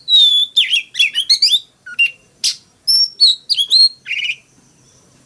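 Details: Fighting song of an Oriental magpie-robin, forest-voice style, for stimulating other males to sing: a long falling whistle, rapid chattering warbles, then scattered buzzy and whistled notes before it fades.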